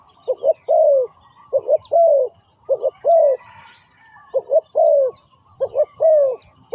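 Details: Spotted dove calling as a decoy to attract wild doves during ground trapping; repeated phrases of two short husky notes leading into a longer falling coo, with faint high twitters behind.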